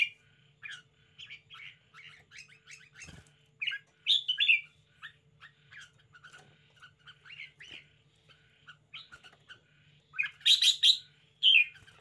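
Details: Spirited red-whiskered bulbul in a cage, giving a long string of soft quick ticking chirps with occasional louder warbled phrases, then a loud burst of bright rich notes near the end.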